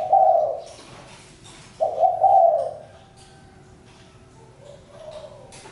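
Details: Spotted dove calling in short, mellow coo phrases, two strong ones close together, then a softer, quieter coo near the end, with light clicks and rustles in the background.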